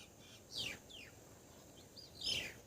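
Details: Grey wagtail, a winter visitor to Assam, India, filmed near water behind a house: two sharp, high, downward-slurred call notes about 1.7 seconds apart, with faint softer chirps between them over a quiet background.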